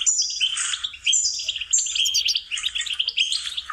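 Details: Short goldfinch song lesson: busy, high-pitched twitters and buzzy notes tumbling together, briefly dipping in loudness after the first second.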